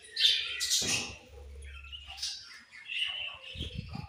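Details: Several budgies give high squeaky chirps and brief warbling chatter, with quieter gaps and a low hum and soft thumps in the background.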